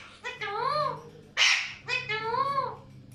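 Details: Alexandrine parakeets giving two drawn-out, arched, nasal calls rich in overtones, split by a short harsh rasping screech, with a low background hum throughout.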